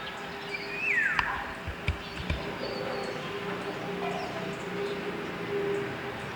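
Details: Philippine oriole, locally called Antulihaw, a Philippine endemic recorded in an urban setting in the city: a single loud whistled note slurring sharply downward, heard once over steady traffic-like hum and background noise.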